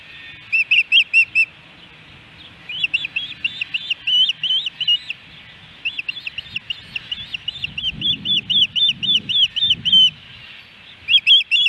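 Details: Osprey at a nest in Hellgate Canyon, Missoula, Montana, on July 13, 2018, a day of three fish deliveries: bursts of loud, high, arched chirps repeated rapidly in runs, with short pauses between runs and low rumbling noise beneath.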